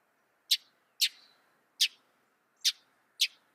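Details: Northern mockingbird giving five sharp, clipped chip notes at uneven intervals of roughly half a second, with faint low background hiss.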